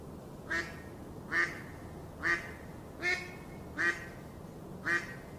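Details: Six short nasal quacks from a duckling in a pond, evenly paced about every eight tenths of a second, each a brief buzzy blip against quiet background.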